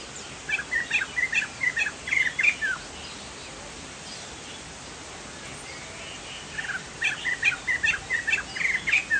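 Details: Chinese hwamei (poksay jambul from Sumatra) in gacor song: a run of quick whistled notes, several silent seconds, then another lively burst, with steady hiss and a faint insect drone throughout.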